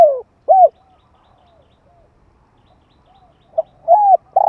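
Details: Spotted dove call meant to stir decoys and lure wild doves, 2021: two arched coos, a soft faint phrase in the background, then a pip and two more arched coos.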